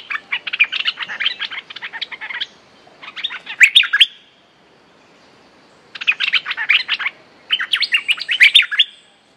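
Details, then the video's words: Long, busy stretches of rapid chirping from a Streak-eared bulbul, the fierce lure song of a territory holder: two runs of many quick notes, each lasting several seconds, broken by a near-silent gap. "เสียงนกดอกแตงEp.175 จ้าวถิ่นเสียงดี เพลงดุๆ Suara pikat merbah lekir gacor"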